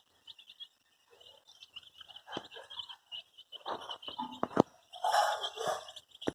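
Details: Baby chickens, dyed in bright colours, peeping while looking for their mother: thin, high, steady chirps running almost without pause, mixed with louder scuffling, tapping and rustling noises and a few lower cheeps.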